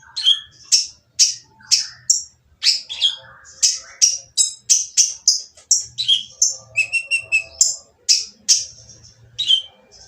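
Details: Noisy purple-throated sunbird song used to make silent birds start singing. Dense, steady run of high, harsh chips and buzzy rattles, with a lower two-toned trill midway, over a soft low background hum.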